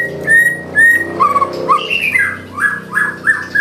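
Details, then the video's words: White-rumped shama singing filler phrases, a sequence of sweet, level whistled notes and short slurs, about two per second, over a steady low hum in the background. "Murai batu nembak isian gacor"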